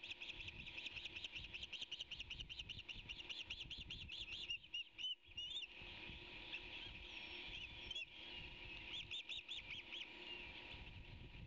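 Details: Osprey chicks in a Savannah nest on 15 May 2019, about three weeks from fledging, walk and flap after a fish delivery, giving rapid, high, whistled chirps in quick repeated runs with a brief pause, over low wind rumble.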